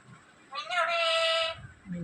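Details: A pet black-capped lory "talking" gives one drawn-out, nasal, speech-like syllable lasting about a second, level and then slightly falling, amid Malayalam speech. Soft human voices murmur around it.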